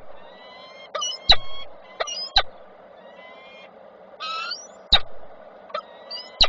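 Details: At a falcon nest in Koszalin on 7 June 2023, a male delivers small prey for passing on; brief harsh chittering calls come in bursts, mixed with loud knocks and scraping handling sounds over a background hum.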